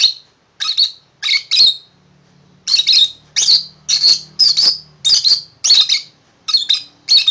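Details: Tame pet male lovebird indoors, singing happily after being given a shoe box as a new house; harsh, raspy chirps in short bursts roughly every half second, over a faint steady low hum.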